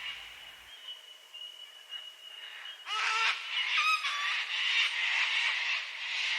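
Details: Sulphur-crested cockatoos in Australian eucalyptus bush at sunset, calling to each other as they gather to fly to their roost: loud, harsh, grating screeches bursting in after a quiet start, overlapping raucously, over a thin steady high whine.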